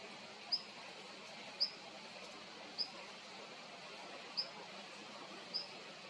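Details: Long-tailed rosefinch: five tiny, high, thin call notes spaced one to one and a half seconds apart, soft against a steady hiss.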